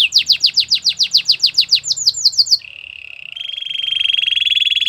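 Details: ['Belgian canary singing: a fast run of about fifteen bright downward-sweeping whistled notes, then a lower, steady buzzy roll that rises in loudness and holds to the end.']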